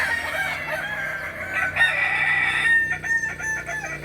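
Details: Kukuak Balenggek chickens competing in a May 2024 crowing practice contest at Ampang Kualo, Solok; overlapping sustained crows with bright ringing tones, ending in choppy fragments amid crowd noise.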